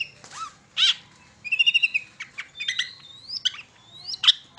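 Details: Varied long-tailed shrike song meant to lure young shrikes into singing: scattered harsh notes, a quick run of ringing trilled notes, and rising, slurred whistles between sharp chips.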